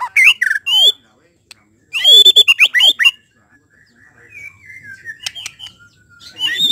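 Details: White-rumped shama song used to push another shama into quickly singing its full repertoire: loud swooping whistles, a burst of rapid harsh clicking notes, then softer drawn-out whistles ending in a rising phrase.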